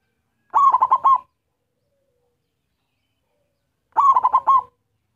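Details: Zebra dove of local stock singing a lure song to attract others of its kind: two short phrases of four or five quick, rolling coo notes, separated by about three seconds of silence.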